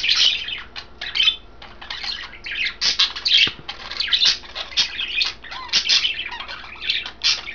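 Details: Budgerigars kept indoors, three birds coloured green, blue and white, chattering over kale; loud grating squawks and chirps arrive in quick clusters, with a soft knock near the middle.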